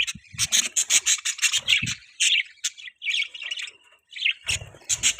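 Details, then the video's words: Pet budgerigars chirping: rapid scratchy chirps and warbled chatter in quick bursts, with short pauses and some low knocks or scraping in between. "Budgies Chirping sound"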